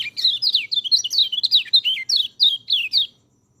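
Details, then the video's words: Training song of a white-eye for birds that seldom sing: quick bursts of high, sliding whistles tumbling downward, repeated steadily for about three seconds before stopping. "MASTERAN BURUNG PELECI, cocok untuk burung peleci malas bunyi"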